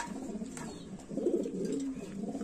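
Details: Lahori pigeons housed on a farm in Comilla, Bangladesh, making a low, purring coo that rises in strength midway and then trails off, with faint clicks in the background.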